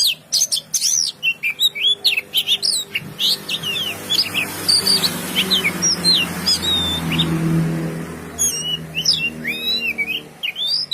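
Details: An oriental magpie-robin sings a varied song of sharp, whistled notes, rising and falling slurs and quick trills in rapid phrases. A low engine-like hum rises in the middle section.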